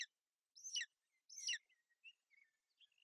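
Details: At a golden eagle nest in Bucovina on 28 May 2021, the female shelters her chick from rain and cold. Two loud, high, slurred chirps are followed by several soft, faint, short whistled peeps.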